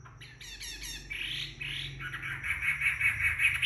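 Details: Chinese hwamei after bathing, drying in the sun: a series of short harsh repeated notes, then fuller blurred whistles and quick repeated chirps, with a low hum underneath.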